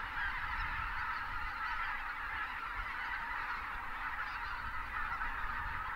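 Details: Huge wild flock of Greater white-fronted geese with departing pelicans in South Texas winter, south of Uvalde; constant dense chatter of honking calls, individual notes lost in the crowd, over a soft low rumble.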